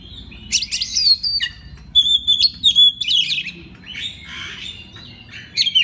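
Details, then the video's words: Oriental magpie-robin master song to prompt other magpie-robins to sing: emphatic whistled phrases and piercing chirps with a rough, squawky passage near the end. "pagi siang malam kacer lain ikut gacor. isian master kacer. suara kacer"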